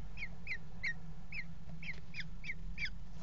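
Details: Eurasian kestrel mating on the edge of a nest box at a water tower, 5 February 2018; sharp, ringing kee notes repeated about every third of a second, eight in a row, over a steady low hum.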